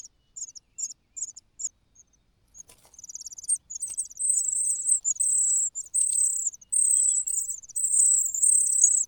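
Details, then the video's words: Starving cuckoo nestling begging in a nest whose natural chicks are full. Sparse high chirps at first build into loud, sustained shrill screeches, each held about a second. "The natural chicks are full, while the cuckoo cries loudly out of hunger.亲生的小鸟都吃饱了，杜鹃鸟饿得吱吱叫"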